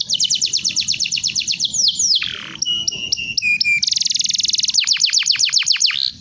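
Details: Canary song used as masteran, a tutor recording for training birds: fast rolling trills of high sweeping notes, a short buzzy rattling passage, then a quick series of descending chips, loud and unbroken throughout.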